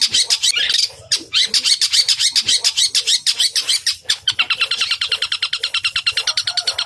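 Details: Fighting song of a long-tailed shrike: fast rattling series of sharp, clipped high notes, speeding into an even, machine-like roll in the second half.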